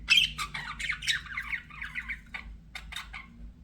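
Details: Pet budgerigars give a run of short squawky chirps that slide between mid and high pitch, bunched closely then thinning out into scattered separate notes, with a low steady hum underneath.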